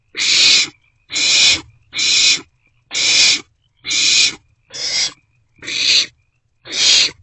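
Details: Owlets of the barn owl in a nest box around 2 am on 27 March 2024, passing a meal back and forth. Eight harsh, hissing screeches, each about half a second, roughly one per second.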